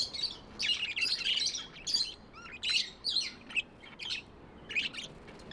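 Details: Tamed budgies chirping in short, bright, scratchy bursts separated by brief pauses, a lively warble high in pitch.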